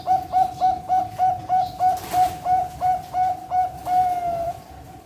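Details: Zebra dove of the Bangkok line, bred on a farm in Pasuruan, East Java, Indonesia, delivering about a dozen rhythmic coos at a steady pitch, ending on one longer, slightly falling drawn note.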